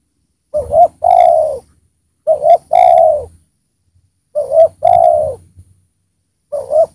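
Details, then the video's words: A vocal spotted dove, used to lure wild doves, coos a low, soft double note and then a longer rolling coo, repeating the phrase about every two seconds. "Tekukur Gacor"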